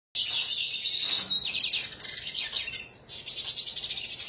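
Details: Red siskin singing, a fast run of high, bright twittering notes with buzzy trills and a quick downward-sweeping phrase near the end.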